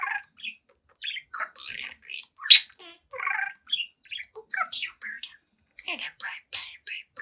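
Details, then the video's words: Young pet budgerigar, seven months old, chatting in front of a mirror indoors: rapid run of short chirps, buzzy squawks and warbled scratchy notes in quick irregular succession, high and bright, with brief pauses between bursts. "Young Budgie Talks, Dances, and Sings in Front of the Mirror"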